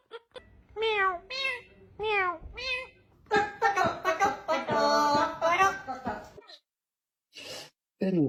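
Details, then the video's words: Talking parrot imitating voices and sounds indoors: three rising-then-falling, meow-like harmonic calls, then a dense run of voice-like chatter, two short breaths and an abrupt falling cry at the end. "Funny Parrot Imitating Sounds & Voices"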